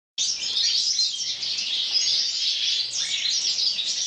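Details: Several mutation European goldfinches in an aviary flight sing at once, a dense, continuous chorus of bright, liquid twitters and tinkling trills with no pauses.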